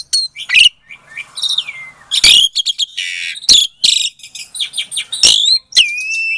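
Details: Captive-bred Asian pied starling, Klaten, Indonesia, February 2022, delivering a provoking lure song for mute starlings: varied loud whistles, drawn-out descending slurs, grating broadband rasps and sharp clicks in an energetic, irregular stream.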